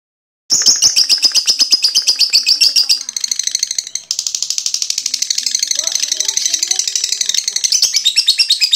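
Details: Young lovebird, described as still learning to sing, tested on a porch, giving a long ngekek song: a continuous rapid high chattering trill, steadily pulsed, running unbroken for about eight seconds with one brief dip midway.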